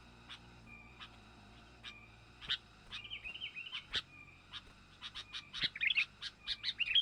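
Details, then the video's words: Young sooty-headed bulbul lure for wild birds: scattered sharp ticks speeding into a rapid clicking series, with a brief warbled phrase in the middle and bubbly chirps near the end. "Mikat burung kutilang,pikat kutilang muda berbakat"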